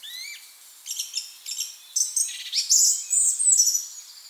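A song thrush sings bright, varied phrases, several short notes repeated two or three times before changing, shrill and clear over faint background hiss.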